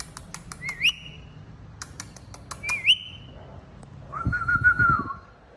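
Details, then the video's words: Talking pet parrot giving two quick upward-swooping whistles followed by a level, wavering whistled note, with repeated clicks in the room. "Talking Parrot Says Funny Words and Whistles Perfectly"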